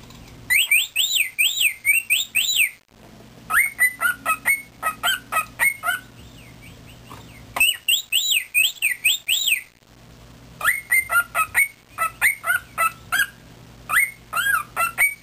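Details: A female cockatiel, trying to sing along, gives bright whistled phrases, rising and falling in quick repeated loops.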